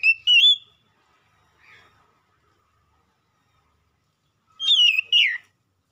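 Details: Oriental magpie-robin (kacer) singing as a provoking lure: two short clear whistled phrases with quick warbling slides, one at the start and one near the end, with near silence between.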